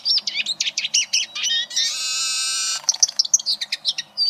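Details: Eurasian siskin song played to tutor competition canaries: quick high twitters, then a long, drawn-out wheezy buzzing note lasting about a second, followed by more sharp chirps and trills.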